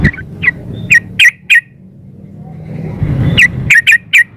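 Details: Female sooty-headed bulbul calling to a male, used as a lure recording. Crisp, chirpy notes come in two bursts separated by a quieter gap with low rumbling background noise.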